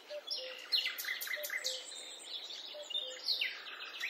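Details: A European Robin that visits a garden daily and sings each morning gives a quick, varied run of high, thin twittering notes and trills, with soft low tones, possibly music, faintly underneath.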